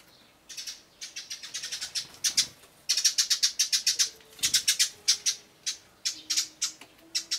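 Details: Adult sparrow fighting a young sparrow, possibly a parent pushing its young toward independence, recorded 13 June 2012: rapid bursts of sharp high chirps, dense runs of several per second with brief pauses between volleys.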